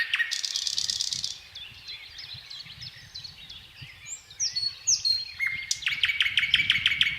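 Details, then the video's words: Thrush nightingale singing its powerful, varied song in slow, solemn strophes separated by pauses: a loud burst of rapid clicking notes, then softer varied whistles and a sharp repeated rattling phrase at the end. "Соловей поёт"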